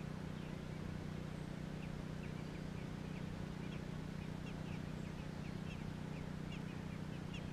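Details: American robin nestlings in Georgia: short, high, squeaky chirps repeated rapidly and irregularly, several per second, over a steady low mechanical hum.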